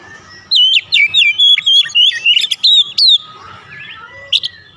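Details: White-rumped shama singing as a provoking lure: a fast string of loud, looping whistles and sharp chips lasting about three seconds, followed by softer notes and a brief high accent.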